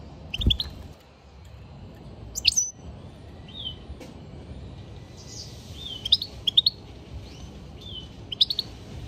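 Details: European goldfinch singing amid outdoor noise: scattered high chirps and brief twittering phrases, some short rising notes, spread irregularly over a steady rumbling background.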